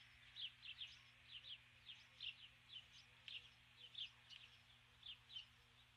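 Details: At dusk on her nest in July 2015, a female Osprey keeps calling for her mate. Thin, piping chirps come in short runs of two or three notes, repeated steadily against a quiet background.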